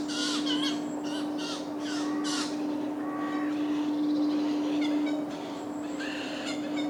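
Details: Eurasian jays feeding chicks in large woodlands in Wales in July give harsh, rasping squawks in quick bursts, roughly three or four a second, over a steady low electrical hum.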